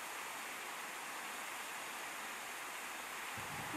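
Constant broadband rushing like flowing water or wind, and no animal voice stands out.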